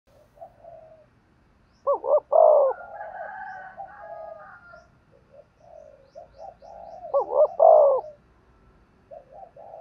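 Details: Spotted dove cooing, used to stir up and train decoy birds: two loud bouts near two and seven and a half seconds, each a throbbing wavering note then a long strong coo, with soft short coos between.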